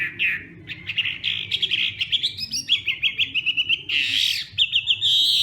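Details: Hwamei fighting song in morning training: bright whistled phrases that climb higher, then a quick even series of short repeated notes, followed by a harsh, noisy outburst and further rising whistles, over low background hum.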